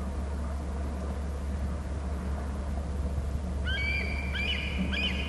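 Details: Bald eagle at a nest on Hornby Island, alerting while the male flies off and returns; after a steady low hum, a short burst of thin, high whistled notes comes near the end.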